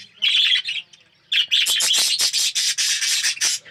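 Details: An aviary colony of red-eyed yellow budgerigars: a short harsh chirp, a pause, then a dense, continuous run of loud, raspy, broadband squawks and chatter from the flock.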